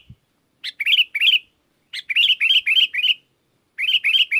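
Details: Singing sooty-headed bulbul calling wild bulbuls, which reply. Short groups of bright, bubbly chirps come in three bursts separated by silent gaps, each note slurred up and down, with a faint low thump at the start.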